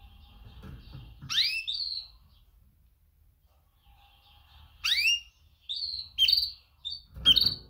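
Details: Mating call of a female canary calling males: sharp downward-sweeping chirps, each followed by a short whistled note, in two bursts separated by a pause. Faint low rumbling sounds underneath.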